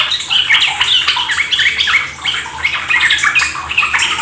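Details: Brief burst of lively, overlapping chirps and warbles from Yellow-vented Bulbuls, recorded as a lure to coax caged birds into energetic ropel singing.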